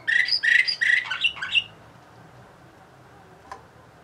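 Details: Bulgarian canary of the Orpheus 2020 line from Sofia sings a short phrase. Several rolling, whistled notes come in quick bursts over about one and a half seconds, then stop, leaving near silence with a faint click.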